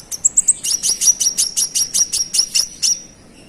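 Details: Konin in full song used to provoke rival birds: a fast series of sharp, very high chirped notes, about a dozen in three seconds, each with a thin whistled tone, steady and insistent.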